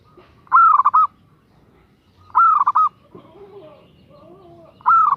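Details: Female zebra dove calling for a male: three loud warbling coo phrases, each a rising start and rapid trill, with lower softer cooing notes heard between them.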